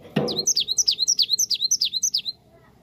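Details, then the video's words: Cinereous tit lure song to make birds respond. A heavy thump opens a steady two-second series of about fifteen ringing, high, falling whistles, delivered rapidly and evenly before ending abruptly. "Gelatik batu langsung nyaut dengar ini"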